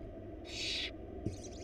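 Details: Wild barn owl chicks, one of four nestlings in a nest box, as their mother brings a large rabbit: one harsh, breathy hiss lasting about half a second, then a fainter hiss over a steady low hum.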